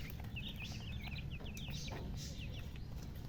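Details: High, quick chicken peeps in a busy run of short chirps from colour chickens, with a steady low hum underneath.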